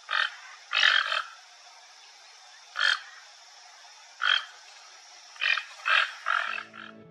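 A toucan gives harsh, croaking calls in seven short rasping bursts at uneven intervals, some doubled. A faint low tone enters at the very end.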